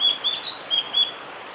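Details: Brief fragment from a singing male blue-and-white flycatcher, Kanazawa forest road, Lake Miyagase, Japan, 5 May 2018: a few clear high whistled notes spaced evenly, with a thin higher slur at the end.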